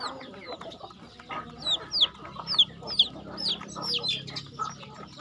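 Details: Chickens at feeding time on a farm: repeated sharp, downward-slurred high notes about every half second over low clucking from the flock.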